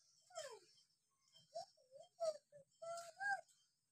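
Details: Hill myna on a lure recording for mynas that have stopped calling: a run of short varied whistles, one sharply falling, others level or gently bending, roughly one each second, with steady high hiss behind.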